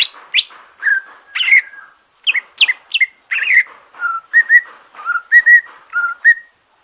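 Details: Green leafbird after finishing its moult, singing as a stimulus for other green leafbirds: loud sweeping whistles and sharp upslurred notes, then a repeated pattern of paired mellow whistles with faint high tinkling notes above.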